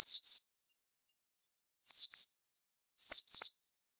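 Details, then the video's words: White-eye singing a master song: three bright, high double-note phrases, each note a rapid downward sweep, the second phrase carrying a slightly lower, more drawn-out tail; phrases spaced roughly a second and a half apart in quiet surroundings. "Pleci super antik masterannya harus unik"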